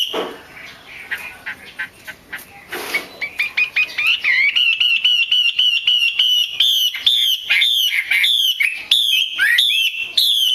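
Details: Female Chinese hwamei calling to stimulate males: faint opening notes, then strong, regular whistles repeated roughly twice a second, growing louder and more slurred toward the end.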